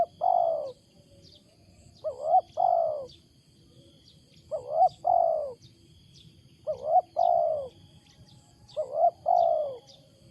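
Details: Loud wild spotted dove with an unusual coo: four phrases, each a quick rising hiccup note then a long, falling, low coo, spaced about two seconds apart. Faint high chirps tick in the background.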